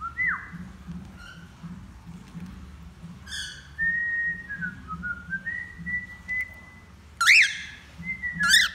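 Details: Male cockatiel learning to sing produces a wavering whistled phrase: a rising slur, a chirp, then a run of level whistled notes stepping down and back up, punctuated by two loud rasping upswept calls near the end; steady low hum.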